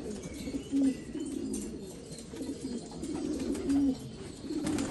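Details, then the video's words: Afghan black pigeons in Afghanistan. Two clear, deep, level coos stand out about three seconds apart over a soft background of quieter cooing. "کفتر های مشکی افغانی"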